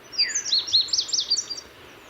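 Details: Male indigo bunting (Passerina cyanea) newly arrived at its spring breeding site in low shrubby habitat, singing loudly from a high twig to claim territory: a bright, high, quick phrase of sweet paired notes rising and falling over about 1.5 seconds.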